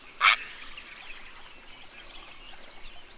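A kingfisher gives a single sharp, harsh, high call lasting a fraction of a second, followed by faint background hiss.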